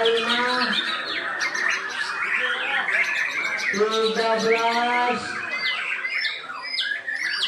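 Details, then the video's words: White-rumped shama singing in a caged bird contest it won twice: clear, sustained whistled notes with strong, even tones, broken by rapid sharp twitters and downward-slurred phrases. "Aksi Murai Batu"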